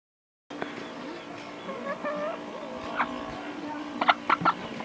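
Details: Mother hen protecting her chicks, giving a burst of short, sharp clucks in the last second over a steady tonal hum and faint background voices.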